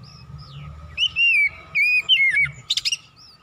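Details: Oriental magpie-robin song meant to rouse a caged bird, clear whistled notes rising and slurring near the middle, then a burst of buzzy high chips, over a low hum.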